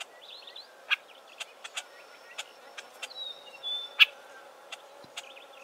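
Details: Southern Tchagras in dense Acacia thicket giving varied calls: a twittering burst of rising notes, scattered sharp clicks, a drawn-out high whistle sliding downward, and more twittering near the end.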